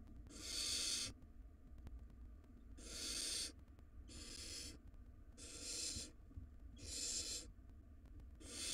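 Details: Wild barn owl nestlings in a nest box, tussling in a tug-of-war over a very large rodent; harsh broadband hissing screeches about one second long, six bursts spaced roughly every one and a half seconds over a low background rumble.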